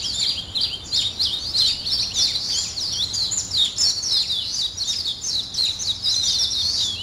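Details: Birds in the morning chorus: rapid, high-pitched chattering trills and chirps packed closely, steady throughout, with faint low rumble in the background.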